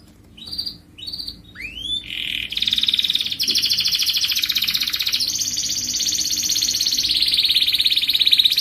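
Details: Canary singing to encourage other birds to sing, opening with a few short chirps and a rising whistle, then a long continuous rapid trill that steps higher midway and holds steady.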